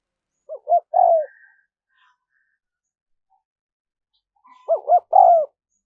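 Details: Two spotted dove coo phrases separated by a long pause, each two brief hoots and a longer falling note, used to call in wild doves.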